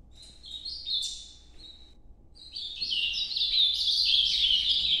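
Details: Ultramarine grosbeak in the Nordeste song style, noturno. A short warbled phrase and a pause precede a long, loud stream of rapid, tumbling whistled notes.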